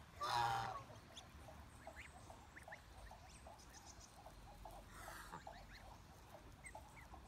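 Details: Chinese goose, a domestic breed, opening with a short, loud, harsh honk, then steady soft chirping, with a fainter honk partway through.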